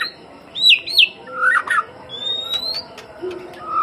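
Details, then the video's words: Shama song used as a lure: two looping downslurred whistles, a warbled phrase, then a long thin rising whistle and a low closing note. "Pancingan Suara Murai Batu"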